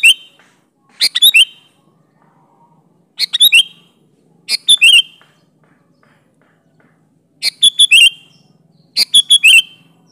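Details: Sooty-headed bulbul giving a lively, varied song with natural fill-ins, intended to lure bulbuls into answering. Bright, slurred whistled phrases of three or four notes, some dropping at the end, repeat at uneven intervals over faint low hum.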